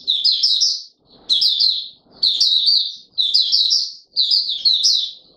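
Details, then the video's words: Courting Oriental white-eye, a kept Mata Puteh Raja, delivers five quick high-pitched twittering phrases, each about half a second long and repeated roughly once a second with short gaps. "Mata Puteh Raja V2 in courtship mode"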